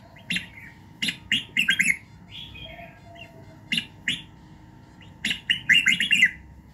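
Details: Red-whiskered bulbul in morning song, a training recording to fire up a bird. Clusters of sharp chirps and warbled whistled phrases are separated by pauses of one to two seconds, with softer notes between them. A steady hum lies below.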